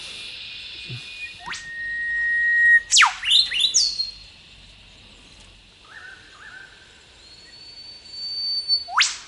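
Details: Whipbirds calling from thick bush scrub, where the elusive birds flit about constantly: a long thin steady whistle, then a loud whip-crack sweeping sharply down, quickly followed by several fast descending notes; a second whistle and crack close the clip.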